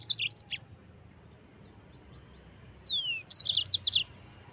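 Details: Yellow-fronted canary rolling song for training other caged songbirds, two short bursts of high rapid chirps, the second introduced by a clear falling whistle, with a long quiet gap between them.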